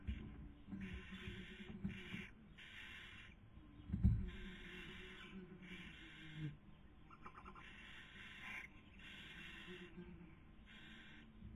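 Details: Barn owls filmed by nest webcam in Spain's Cabañeros National Park during the 2020 breeding season, female feeding while male tries to sleep; a long run of rasping hisses, with scattered knocks and a short chatter.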